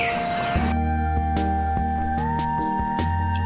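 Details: Electronic music with steady low bass notes, sustained tones and a gliding, theremin-like pitch; no animal sounds are heard.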